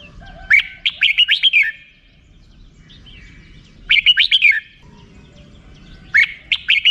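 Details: A red-whiskered bulbul repeats a lively rik-style phrase of five or six quick, rolling whistles three times, roughly every two and a half seconds, over faint background noise.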